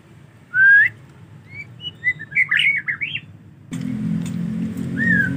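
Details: White-rumped shama in the rainy season, when bathing is hard, giving a loud upslurred whistle, then a run of short varied whistled notes, before a low rumbling background noise sets in with one more whistle near the end.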